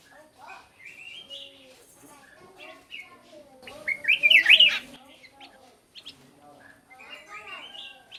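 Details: Black-crested bulbul singing, a recording used to lure birds: a loud, bright warbled phrase in the middle, surrounded by softer twittering and whistled notes from other birds.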